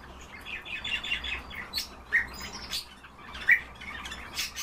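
A Himalayan bulbul gives short, bright chirping notes at irregular intervals, several sharp accents standing out over a soft background hiss.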